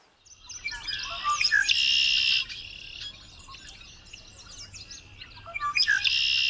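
A red-winged blackbird gives its song twice: a few sharp introductory notes, then a harsh, buzzy trill, with scattered chirps between.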